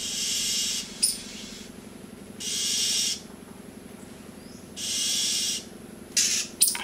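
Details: Oriental magpie-robin alarm call after seeing a rat snake, warning other birds: harsh, hissing rasps, each under a second, roughly every two seconds, with a few short sharp notes between, over a low steady hum.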